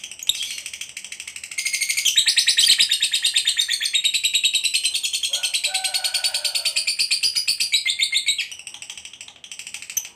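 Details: Long ngekek trill of a fighter lovebird kept for contests. Scattered chirps lead into a loud, unbroken, rapid buzzing trill lasting about seven seconds, which fades out at the end, with a faint lower whistle midway.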